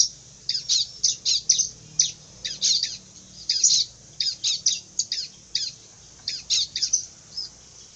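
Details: Bar-winged prinia, said to be fierce, giving a steady series of raspy, squeaky high chirps, some doubled, at a fairly even pace.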